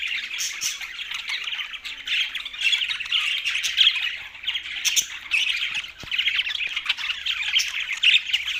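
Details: Pet budgerigars keeping up a steady, dense chatter of scratchy chirps and squawks with no real break throughout.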